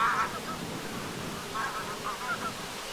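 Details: Greylag geese flying at sunset by Lake Vänern in Sweden, 13 August 2023: one nasal honk at the start, then a short cluster of softer, more distant honks against a low, steady rumble.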